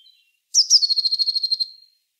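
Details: Blue tit singing one phrase: a couple of high, sharp introductory notes followed by a rapid, steady, slightly buzzy trill of about a dozen notes, fading out over a second; a faint thin note just before.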